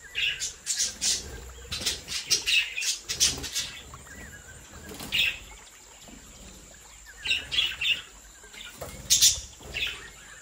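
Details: Budgerigars in a home breeding colony of Australian parakeets, several birds chattering with dense clusters of sharp chirps and squeaks, a lull in the middle, then further chirp bursts over a constant high background tone.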